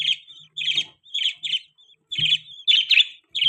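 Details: Budgerigar giving short, grating chirps in pairs at a fairly even pace, with faint low clicks between some notes.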